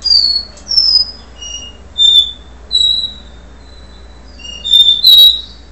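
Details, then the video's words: Capuchino seedeater, recorded ahead of its moult, delivering do-re-mi style song: a run of clean whistled notes stepping between higher and lower pitches, some sliding downward, with short pauses between. "caboclinho do re mi"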